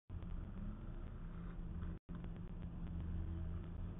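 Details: Continuous road-traffic rumble outdoors with a short gap of silence and no animal calls.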